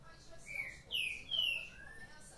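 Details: Green-winged saltator, a caged bird waking lively in the morning, sings a short phrase of three or four clear slurred whistles, the last one lower and drawn out, over a quiet hum.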